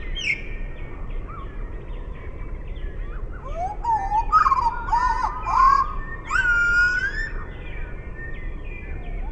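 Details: Half-speed Eurasian blackbird song, deep drawn-out fluty slurs and warbles in the middle, with a constant hiss throughout.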